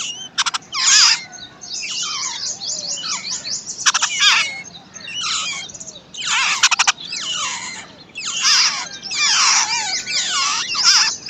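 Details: Chicks of a wild babbler beg while the parent feeds and guards them: rapid bursts of raspy, broadband squeals with clicking edges, repeated in clusters roughly every second.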